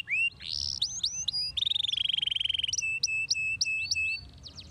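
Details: Canary song used to stimulate other canaries to sing: varied whistled phrases, rising sweeps, a long steady buzzy trill, then evenly repeated sharp chips.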